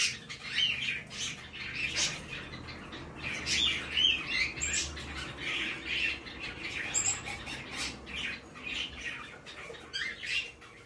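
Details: Tame male White-bellied caique chick in Fukuoka, Japan, on 17 May 2024, uttering loud rasping squawks in pulsing bursts through the recording, with a few thin high whistled notes mixed in.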